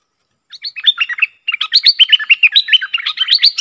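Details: Agitated Streak-eared Bulbul, a lure bird said to be fired up against wild birds, giving a rapid, continuous run of loud, jumping chirps and short whistled slurs after a brief pause.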